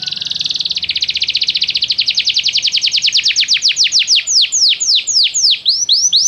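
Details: Canary song to attract a canary into singing: a rapid high trill that slowly decelerates into separate downward-sweeping notes, finishing with a few quick rising figures.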